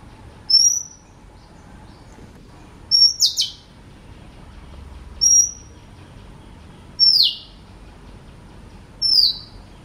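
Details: Oriental magpie-robin song of five separate high whistled phrases about two seconds apart, some long and level, others ending in a sharp downward sweep or paired notes, against a quiet background.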